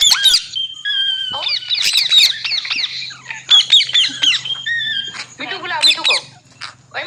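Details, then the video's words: Green parrot kept as a pet, giving a busy run of harsh, high, ringing squawks and screeches, some rising and some falling, packed closely over seven seconds, with a low steady hum underneath. "Green Parrot Talking Natural Sounds"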